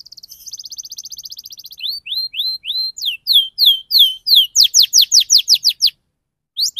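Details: Canary song intended to draw out singing in juvenile canaries: a soft high trill, then upward-curling whistles, then a quickening run of loud falling notes before a brief pause.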